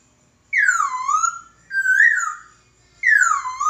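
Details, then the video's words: Laughingthrush master song used to train other birds: three rich whistles, each sweeping downward and trailing off, the second rising and then falling, set apart by short pauses with no other sounds. "Burung Poksay Masteran"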